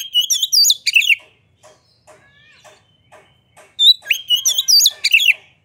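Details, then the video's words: Oriental magpie-robin with tail opened sings to provoke other birds into singing. Two loud bursts of looping whistles and sharp chirps are separated by a quieter stretch of faint ticks and soft notes. "Pancingan Suara Kacer Gacor Buka Ekor! Buat Kacer Lain Pasti Ikut Emosi Gacor"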